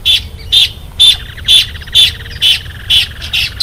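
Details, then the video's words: A Caatinga cacholote gives loud, harsh, squawking notes, repeated steadily about twice a second in a grating, rhythmic chatter. "vamos ao canto da casaca de couro"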